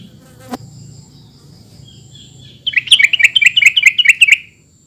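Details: Call of a sooty-headed bulbul meant to prompt quiet birds to respond. After a single click and soft hum, a lively string of about a dozen rapid, bubbly chirps rises and tumbles for nearly two seconds.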